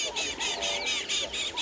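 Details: On a morning safari drive, a bird gives a harsh, rapid alarm chatter at a female leopard, about seven raspy high notes in under two seconds; the leopard raises her tail in response.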